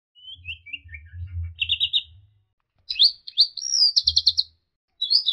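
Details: Orange-headed thrush in full, lively song packed with varied filler phrases and sharp bursts, used to tutor and provoke other birds: short whistled slurs, then rapid trilled chatters and buzzy runs in quick bursts, over a low steady hum.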